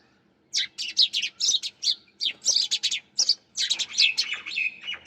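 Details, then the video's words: Sparrows chirping in a lively burst of short, high, sharp chirps, packed closely together and overlapping after a brief silent start, with only faint quiet gaps between clusters. "Sparrows Chirping Sound"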